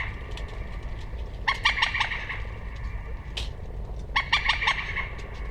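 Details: Common moorhen giving two bursts of four or five quick, harsh clucking notes, about 2.5 seconds apart, over a faint steady high tone and low background rumble.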